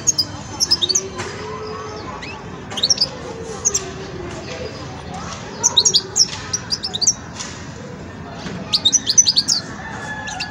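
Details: European goldfinch youngster of the Widani type in its song-learning stage: scattered bursts of bright, tinkling twitters and quick chips every second or two, over a steady low hum and faint voices.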